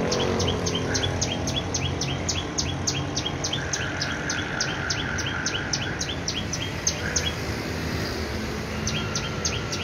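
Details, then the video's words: A small bird repeats very high, thin chirps about three times a second, with a steady mid-pitched buzzy tone in the middle, over low background rumble. "چھوٹا سا پرندہ پیاری سی آواز"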